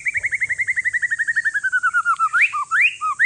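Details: White-rumped shama, one year old, Aceh forest lineage, singing to rouse lazy shamas: about twenty rapid evenly spaced notes steadily descending in pitch, then several loud rising swoops.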